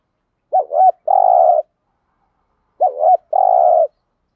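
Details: Spotted dove (Spilopelia chinensis) cooing, used as a lure call. Two low, mellow coos, each a quick wavering double note followed by a longer steady hoot, repeated about two seconds apart.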